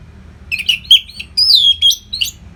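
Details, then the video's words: Orange-headed thrush, known locally as anis merah, singing continuously as training material for fighter birds in Bali: short whistled notes then a long descending slurred whistle and quick high chips, steady faint low background hum. "SUARA MASTERAN ANIS MERAH GACOR RAPET NO JEDA"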